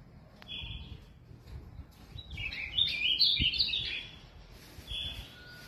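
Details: Ultramarine Grosbeak (azulão), a kept bird from São Paulo, Brazil, gives short whistled notes then a dense, bright warbling phrase in the middle, followed by a softer closing note; low background rumble throughout.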